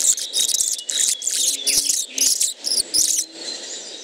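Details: Hummingbird song: very high-pitched, thin squeaky buzzing bursts in quick irregular phrases, repeated several times a second over a faint hiss.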